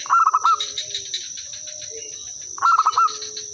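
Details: Local zebra dove in full song, used as a lure so other birds answer: two rapid stuttering bursts of ringing, mid-pitched notes ending in a rolled coo, about two and a half seconds apart, over a steady high electronic whine.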